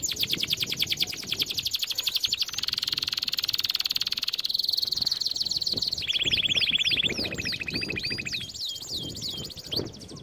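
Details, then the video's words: Canary training song: rapid rolling trills at steady pitch, shifting into long buzzy tours at lower and higher levels, then descending whistled sweeps near the end. "Most powerful song for training Canary"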